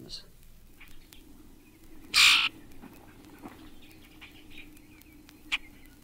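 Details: A Common Grackle song, one of six examples: one harsh, creaky, squeaking burst about a quarter-second long, with a few faint clicks and ticks before and after.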